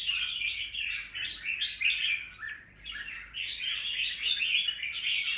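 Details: Wild-caught red-whiskered bulbul kept as a cage bird, recorded 25/12/2023: lively rising and falling chatter of quick whistled notes, briefly softening around three seconds before resuming at full strength, over a faint background hum.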